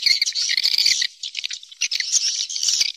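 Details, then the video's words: Swiftlet roosting lure call, described as an original call recorded from nature and used to attract swiftlets: a dense, high, buzzy twittering chatter that breaks off briefly at about one second and then resumes. "Suara Walet Original II Suara Inap Walet terbaik II Panggilan Asli Burung Walet dari alam"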